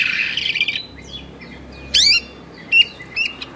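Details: Oriental magpie-robin in Indonesia, agitated and tail-spreading, starting with a harsh buzzy rattle, then thin descending whistles, a loud rising sweep and brief high chirps.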